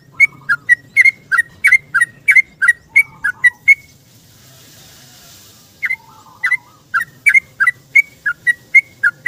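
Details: Yellow-vented bulbul in rapid 'ropel' song at morning, seeking a companion, used as a lure. Fast series of liquid whistled chirps, a two-second pause, then the chattering run resumes.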